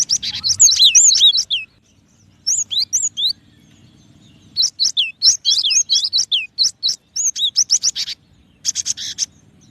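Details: Song of a cinereous tit (gelatik batu): long strings of piercing whistled notes swooping down, delivered in rapid repeated phrases with brief gaps, ending in a buzzy rattle; faint low hum behind.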